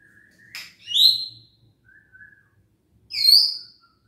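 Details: White-rumped shama in captivity, song used to provoke lazy, quiet birds into singing: two bright whistled bursts with high overtones near one and three seconds, a faint low whistle between, otherwise quiet.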